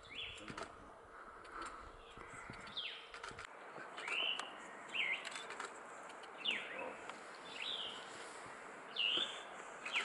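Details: Tufted flycatcher, the fourth US record of the species, in upper Ramsey Canyon on May 22, 2015: sharp, downslurred notes given singly at uneven intervals of one to two seconds, about seven in all, over a steady hiss of background noise.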